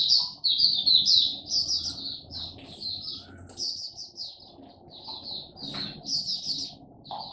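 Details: Caged Oriental white-eye delivering buka song on its first day of testing, a dense, fast chatter of high twittering notes about two per second, with a faint thump partway through.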